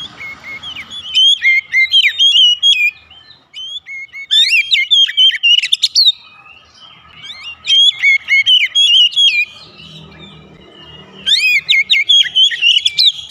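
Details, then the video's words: Oriental magpie-robin singing as a lure for home-kept magpie-robins: four energetic bursts of sweet whistles, rapid twittering and sharp rising notes, each lasting a few seconds and separated by short quiet gaps. "terapi pancingan Kacer tanpa mengenal waktu | Kacer rumahan pasti gacor"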